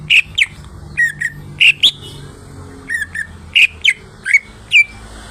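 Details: Caged greater green leafbird, lolohan care, singing gacor with loud paired whistles, rising and falling, repeated roughly every half second.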